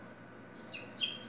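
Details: Double-collared seedeater delivering a short, lively phrase of high, thin whistled slurs, some dropping in pitch, after half a second of quiet.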